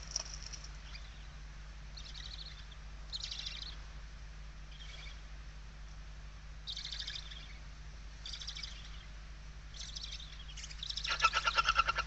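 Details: Barn owl inside a nest box in Spain on 16 November 2023, a watchful mother with a kestrel close to the nest: breathy hissing bursts come roughly once a second, ending in a louder rasping screech, over a steady low hum.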